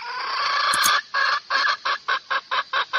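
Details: Domestic hen calling to attract a rooster: a rough, drawn-out squawk lasting about a second, breaking into a string of short, hoarse clucks at a fairly quick, uneven pace.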